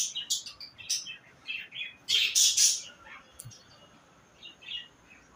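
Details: Chattering budgerigars in a mating context, a few quick chirps followed by a loud, harsh burst of squeaky warbling, then softer scattered notes fading out.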